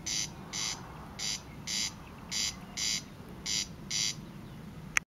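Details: Corn crake (Crex crex) in May 2014 giving its dry, rasping double call, crex-crex, repeated steadily about twice a second over a low background rumble.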